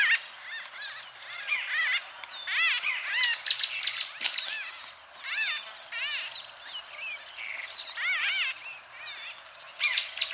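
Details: A group of White-fronted bee-eaters in Kenya keeps up near-continuous overlapping chatter for ten seconds: repeated nasal, arched, rolling calls with brief pauses, varying in loudness.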